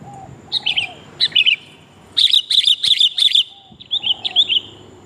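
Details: Sooty-headed bulbul female calling to a male, used as a lure call: short warbled chirps in pairs, then a fast run of five rapid bright notes, followed by another pair of chirps; soft low background hum.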